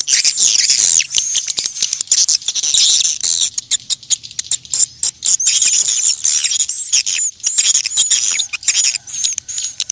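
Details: Natural swiftlet calling sound for attracting the birds: a busy, continuous mass of shrill twitters, squeaks and clicking bursts, with short pauses between flurries.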